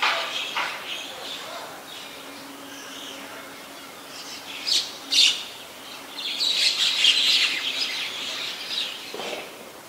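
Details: White-vented myna (Acridotheres grandis), finding given as great myna, recorded 21 October 2021 in Ubon Ratchathani, Thailand, giving harsh, scratchy chatter in short bursts, building to a dense run of grating notes near the end; a faint low hum underneath.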